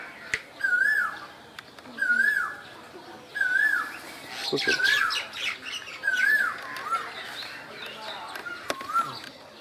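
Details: Asian koel in spring in Bangladesh gives a run of arched, whistled notes roughly every 1.3 seconds. Midway a burst of noise and other birds' chirping breaks in, and then the whistles resume more faintly.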